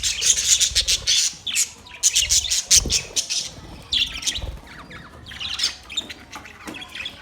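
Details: Several budgies chirping: dense, high, scratchy chatter and squawks in rapid bursts, with short warbled phrases overlapping and a brief lull around the middle before the chatter resumes.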